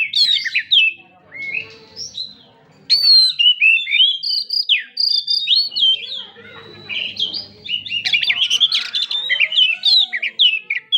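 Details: Kacer, or Oriental magpie-robin, with lively gacor singing: varied whistled phrases with long clear slurs, a short gap, then a rapid, dense outpouring of twittering and scratchy notes.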